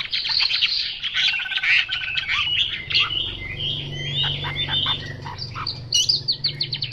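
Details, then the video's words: Chinese hwamei singing loudly: dense, fast whistles and buzzy trills run together, with a brief softer stretch midway before energetic phrases resume, and a low hum underneath. "Họa mi mộc dở 09"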